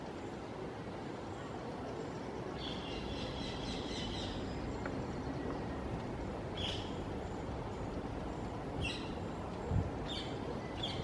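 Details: Rose-ringed parakeet (Psittacula krameri) at Jardim da Parada, Cascais, 2020, giving a quick run of chattering notes, then four harsh, high screeches a second or two apart, over steady traffic rumble.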